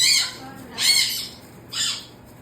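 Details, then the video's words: Pet cockatoo that says hi dad and no when its radio is touched, giving three harsh, broadband squawking bursts about a second apart, each loud then fading, in a quiet room. "THE COCKATOO SAYS HI DAD AND NO WHEN I TOUCH HIS RADIO!"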